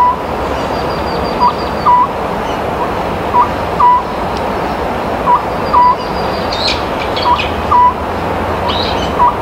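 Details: Spring calling of an Oriental scops owl, a bird whose two-beat call is said to predict a poor harvest and three-beat call a good one; clear paired hoots repeat about every two seconds over broad background rush.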